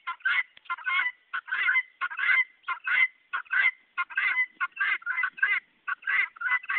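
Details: Guineafowl giving their call, made when curious, scared, hungry, annoyed, happy or lost: loud, harsh, grating cackles in rapid, steady succession, roughly one or two per second throughout, several birds overlapping in a raucous chorus.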